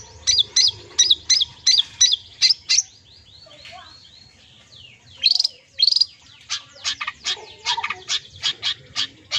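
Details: Long-tailed shrike song with full filler phrases for therapy of silent or sluggish shrikes. A fast run of ringing slurred whistles, a quiet pause, then scratchy notes and a series of sharp, clipped chirps.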